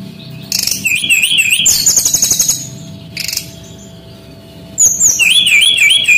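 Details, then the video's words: Bali male brown-chested jungle flycatcher song, played as a lure to train young birds: looping whistled notes, a dense rattling trill, a brief burst, a quiet gap, then wavering whistles resume. "SUARA BURUNG SRDC BALI ASLI JANTAN GACOR"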